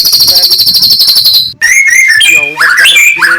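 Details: Oriental magpie-robin in morning song to stir rival birds: a long rapid high pulsed trill, then varied sliding whistled notes.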